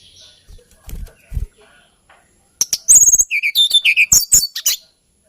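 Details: Hill blue flycatcher, known locally as tledekan gunung, a bird of Kalimantan and Java with a lilting song: a few soft low thumps, then a quick burst of high, varied chirps and twittering notes lasting about two seconds.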